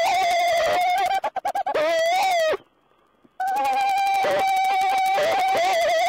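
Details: Owl talk recorded 14 April 2010: sustained, buzzy, pulsing wails held steady for a second or more, broken by a quick stuttered series of short notes and a short silence before the drawn-out cry resumes.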